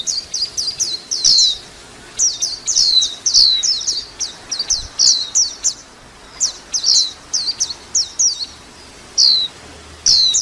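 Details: Lively white-eye chatter: bright, high, downslurred chirps in fast runs of several notes, broken by brief silences, in a quiet setting.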